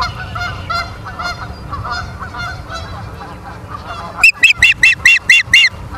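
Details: Osprey at a Charlo, Montana nest camera, 30 August 2023 at 23:23: about four seconds of soft, lower honking from other birds, then seven loud, piercing whistled chirps in quick, even succession.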